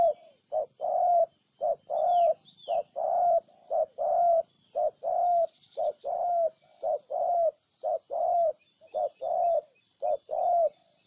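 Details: Spotted dove from Ninh Thuận, Vietnam, cooing steadily: low, mellow hoots in quick short-then-long pairs, repeated nearly a dozen times with brief gaps, about once a second; faint high chirps from other birds behind.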